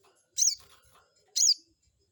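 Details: Crested jay calling as a lure to provoke a rival: two loud, shrill, buzzy notes, each a quick high sweep with a downward tail, about one second apart.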